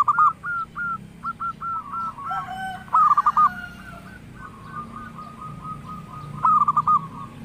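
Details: A local zebra dove sings a melodious song: clipped, evenly pitched coo notes repeated in bursts, with a louder rolling trill in the middle and another near the end, over steady low background noise.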